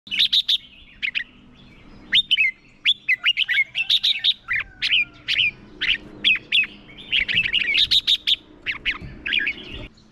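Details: Red-whiskered bulbul used as a decoy, singing competitively to lure wild birds; rapid bright whistled and chattering phrases in dense bursts, many short notes repeated through the clip with little pause.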